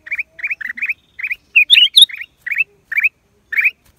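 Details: A Black-crested Bulbul, recorded in April 2023, gives a quick run of short, bright chirping notes, about three or four a second, with a few higher squeaky notes in the middle.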